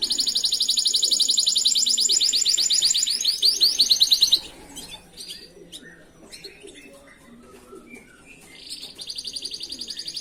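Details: Master song of a canary for training other canaries, a fast, dense rolling trill of high notes for four seconds, then scattered soft chirps and quiet, before the trill resumes.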